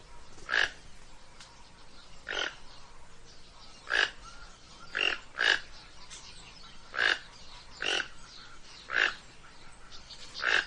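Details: Toco toucan calling with a steady series of about ten brief, coarse croaks, roughly one per second, each a rough burst with a bright core, over faint background hiss.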